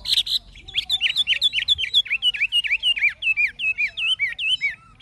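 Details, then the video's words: Caged Chinese hwamei, an older bird caught from the wild, delivering forest-voice song. It opens with a buzzy burst, then gives a fast, steady series of clear down-slurred whistles, about two or three per second. "Họa mi già rừng chuẩn giọng rừng hay"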